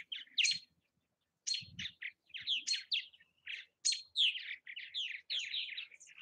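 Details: Purple martins calling around nest houses in Southwest Missouri, a run of quick chirps and gurgling, slurred notes in short bursts with brief pauses, plus a few soft low bumps.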